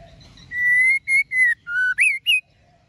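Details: Female white-rumped shama singing to rouse males: a sustained pure whistle, then two short level whistles, a lower drawn-out note and two quick upswept notes ending the phrase, clean and loud over faint low hum.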